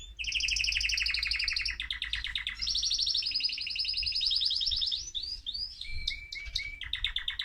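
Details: Male mosaic canary in excited song to stimulate other birds: long continuous rolling trills at two pitches, changing phrase every second or so, then short repeated chirps and sharp notes.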